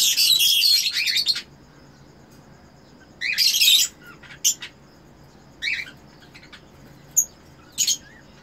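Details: Cockatiels of the red-eyed Eno type, a caged breeder pair mating: loud grating screeches open, a second harsh rasping burst follows, then shorter scratchy squawks and two thin chirps.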